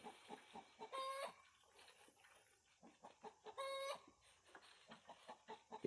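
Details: A hen getting ready to lay an egg clucks in quick, uneven runs, broken by two drawn-out, nasal squawks about two and a half seconds apart; a faint high hiss sits behind.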